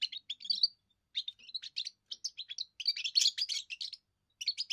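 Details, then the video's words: A young goldfinch's first song, serving territorial defence and courtship: fast jumbled chirps and tinkling trills in clusters, separated by brief gaps, growing denser toward the middle. "first song of a young goldfinch amazing wonderful singing"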